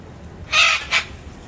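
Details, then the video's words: Turquoise-fronted amazon calling in the wild: two loud, harsh, grating squawks, the first longer and the second shorter, just under half a second apart over a quiet background. "Vocalização do Papagaio verdadeiro na natureza"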